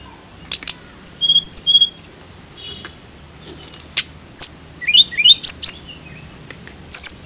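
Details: Tledekan sounds: paired piping tones repeated in a stuttering pattern, then sharp clicks and a cluster of quick, high sweeping chips, separated by brief silences.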